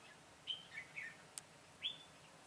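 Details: Red-whiskered bulbul used as a decoy while trapping wild birds, 22 September 2017: short clear whistled notes, a high downslurred note, then two lower slurred notes, and a final rising whistle, over a quiet outdoor hiss.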